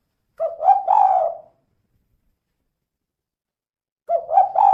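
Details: Spotted dove female, known locally as tekukur, repeatedly giving 'kuk 2' calls meant to coax other doves into singing: two short phrases of three mellow coos each, rising slightly and separated by about three seconds of silence.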